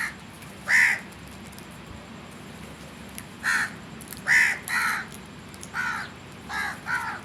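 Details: Harsh, rasping caws from a crow, about eight in seven seconds, spaced irregularly and sometimes in quick pairs, with a quiet outdoor background.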